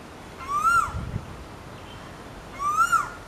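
An Asian koel gives two loud, rising whistled notes about two seconds apart, each swelling upward before breaking off.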